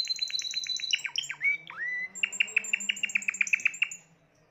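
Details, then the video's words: Rapid chattering notes from a Timbrado canary in 2020 lead into deep swooping whistles and a bright rolling trill before the song fades out. "تغريد طائر التيمبرادو"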